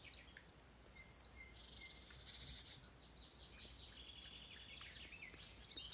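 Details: Unknown bird calling among birch and alder trees at Mellstaby Lund on eastern Öland, 20 June 2013: short, sharp, high chirps spaced about a second apart, with a buzzy, grating burst in between.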